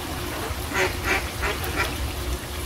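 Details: Ducks in a pond quacking in a quick series of four loud, nasal calls about a third of a second apart, set against constant flowing water.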